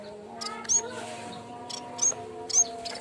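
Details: Lure recording of a bamboo warbler for training: three crisp, high-pitched chips at uneven spacing over a humming background.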